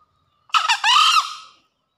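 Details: Green junglefowl in breeding condition calling after heavy rain: one short harsh crow, a rasping first note followed by a longer buzzy second note that fades out, against a quiet background.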